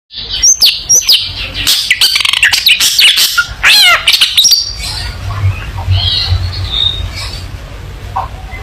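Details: Long-tailed shrike in full vigorous song, a training recording for young shrikes to learn from: a rapid jumble of high whistles, sharp upslurred and downslurred notes, and harsh chips, fading after about four seconds into softer twittering.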